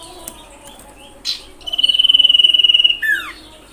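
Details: Common iora calling to provoke other ioras: a sharp chip, then a long, even, rapidly pulsed high trill lasting over a second that drops into a steeply falling slurred whistle.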